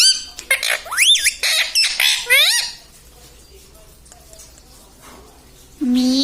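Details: Parrot talking, mimicking words; a quick run of harmonic, rising and falling syllables in the first half, then near silence, ending on one loud drawn-out note.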